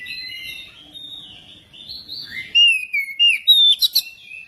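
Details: Lure recording of an Oriental magpie-robin: a low-key rambling warble building into a string of loud, clear whistles with sliding pitch and sharp chips near the end.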